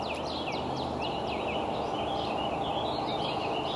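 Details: Bald eagle eaglets aged 60 to 64 days at the Decorah nest, 30 May 2012, in a mock fight. Thin, falling whistled notes come quickly one after another, then fade into softer chitters, with steady wind-like noise beneath.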